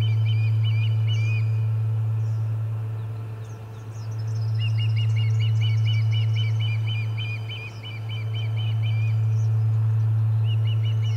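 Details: Osprey calling at the Charlo nest on 30 July 2020 amid commotion and a fish delivery: fast runs of sharp, whistled chirps, about three per second, in bursts separated by short pauses, over a constant low hum.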